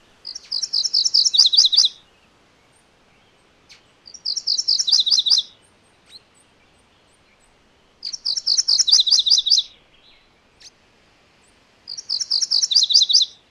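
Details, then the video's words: A MacGillivray's warbler sings four times at steady intervals of about four seconds, each song a rolling run of high chirped note pairs falling to a lower chattering end. "MacGillivray's Warbler Song ! MacGillivray's Warbler Sounds ! MacGillivray's Warbler Call"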